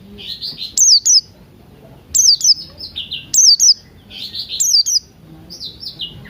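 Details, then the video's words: Morning singing of Buxton's white-eye, played as a lure to make birds sing, mixed with cucak rante sounds: high, thin descending whistles alternating with slightly lower chirping notes in quick bursts, repeated in short phrases. "Pleci Buxtoni Ngalas Pagi Hari"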